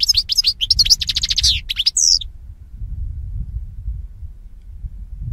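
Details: European goldfinch song used as a training recording for teaching birds: a quick, bright, tinkling twitter of high notes for about two seconds, ending in a buzzy phrase, then quiet low background noise.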